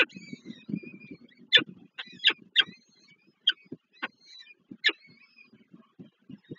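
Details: Young peregrine falcons at a Warsaw Żerań nest, Poland, on 7 May 2023, begging while their mother feeds them, one of four chicks still weak; sharp high squeaky notes in short separate bursts over soft low scuffling.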